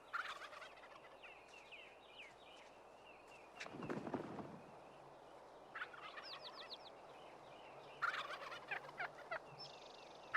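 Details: In spring, wild turkey toms gather in a strutting arena to lure hens from the woods. A tom gives a loud, rapid, gurgling courtship gobble in short bursts, with thin whistled songbird notes chirping around it.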